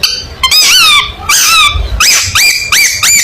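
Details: Long-tailed shrike sings as contest material: loud, harmonic, squeaky notes rising and falling in a steady series, delivered in quick bursts.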